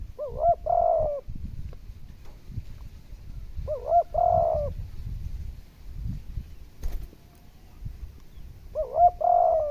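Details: Spotted dove cooing to prompt hard decoy birds to coo: three evenly spaced phrases about four seconds apart, short rising notes then a longer level coo, with low rumble and a brief sharp click between.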